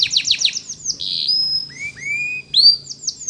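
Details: Canary training song with quick descending notes, then long pure drawn-out whistles, some rising, followed by a brief bright sweep and short slurs.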